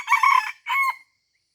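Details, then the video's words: End of a junglefowl crow during luring at Taman Rusa, Aceh, Indonesia: a long harsh ringing note followed by a short separate final note, then silence. "AYAM HUTAN Aceh # Mikat di Taman Rusa"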